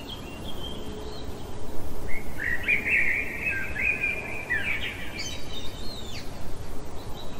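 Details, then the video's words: A blackbird sings deep in the night, giving one rich, mellow warbled phrase that runs into a thin, higher squeaky flourish, with faint background rumble throughout. "Merle chantant au cœur de la nuit"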